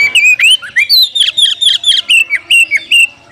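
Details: Oriental magpie-robin calling a rival to fight so birds grow fiercer and spread their tails; a fast unbroken run of loud, sweet whistled notes, some sliding upward, others dropping, about four notes each second.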